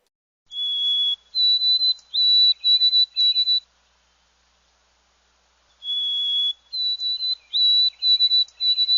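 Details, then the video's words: White-throated sparrow song, heard as 'Oh, sweet Canada, Canada, Canada': a pure whistled note, a higher held note, then several repeated three-part whistles on one pitch, sung twice with a pause between. "The white-throated sparrow sounds like it's saying, "Oh, sweet Canada, Canada, Canada." Listen to the song. Can you hear it?"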